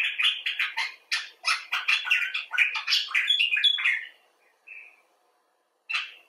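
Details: Expressive chatter from a common bulbul (Pycnonotus barbatus), rescued or filmed outside: rapid, tumbling bubbly notes for four seconds, then a single short whistle and, after a pause, one final chirp.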